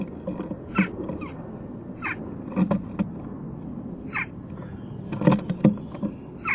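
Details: Western jackdaw youngster begging as its parents bring food to the nest box, 12 June 2015 at 11:19; loud, harsh, descending calls in quick bursts, mixed with knocking and scuffling sounds.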